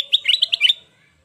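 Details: Sooty-headed bulbul in lively song, used for luring and tutoring other birds: a quick phrase of about six bright, clear notes bouncing up and down in a rapid chirpy run, then silence.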